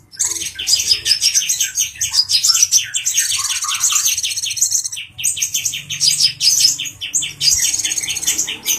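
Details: Agitated male brown-throated sunbird singing while provoking a grey-cheeked bulbul: fast, high, sharp chirping notes in rapid runs, with a thinner, higher twittering layered above and short pauses between bursts.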